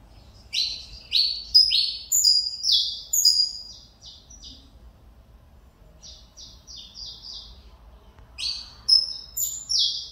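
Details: Caged Mineirinho canário-da-terra, bred from a Cobrap vice-champion father and a CMA mother, resuming his singing after moult problems: quick phrases of rapid, descending, chirpy notes, a pause, then the song starts again.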